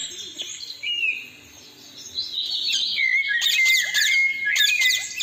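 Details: Three parrots perched on branches, calling: loud shrill squawks and rising whistled notes, growing busier and more overlapping in the second half.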